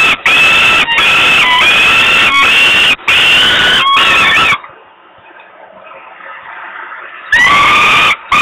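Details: Falcon chick in Włocławek, Poland, wailing from hunger on the evening of 27 May 2022 before grabbing food from her father; several strident cries, a quieter lull of nearly three seconds, then the crying resumes.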